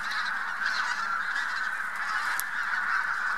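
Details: Spring migration flock of Bean Geese with some White-fronted Geese at Lubiń near Trzemeszno, Poland, March 2018; loud, even chorus of countless honking and yelping calls blending together, one brief sharp click near the end.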